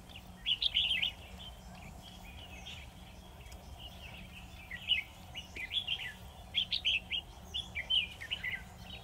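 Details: Trapped-bird decoy, a red-whiskered bulbul, sings to attract a wild one: repeated lively whistled and warbled phrases, louder bursts toward the end, faint background hum.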